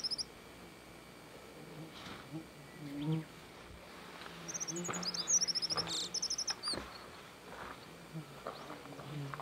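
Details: A Japanese accentor (Prunella rubida), a species endemic to Japan, sings at Daisetsuzan a thin, high, jingling trill of quick rising and falling notes; a brief burst opens, a longer run comes midway, over low hum.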